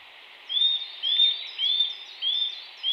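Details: Eurasian nuthatch singing: a series of clear, rising whistled notes, five in quick succession about every half second, each loud and even, over a soft steady background hiss.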